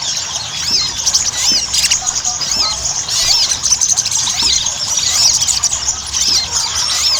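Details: Lively Ruby-cheeked sunbird chatter, played so other sunbirds begin singing: high, twittering squeaks and rounded upslurred notes in quick, irregular bursts, with a few sharp ticks cutting through.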